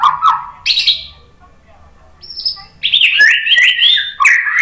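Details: White-rumped shama lure song for drawing out other shamas: a few short whistled notes, a pause with a faint high note, then a fast, dense, warbling run of mixed whistles and chatter.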